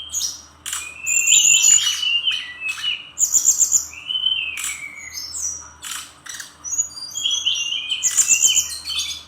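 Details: A Bali brown-chested jungle flycatcher sings full of imitated filler material. Bursts of sweet, sliding whistles and fast twitters alternate with short silences, with occasional dry clicks.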